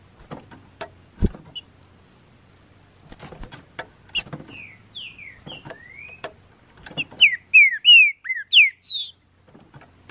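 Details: After moulting, a caged green-winged saltator out in the bush in May 2019 gives scattered taps and knocks, then a rising whistle and a brisk string of loud, bright, downslurred whistled notes near the end.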